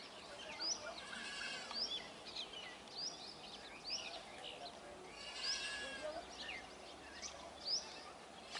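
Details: A flock of Brahminy starlings (black-headed myna) gives overlapping chattering and squeaky notes, with sharp high upslurred whistles repeated about once a second and busy bursts of chatter near the middle.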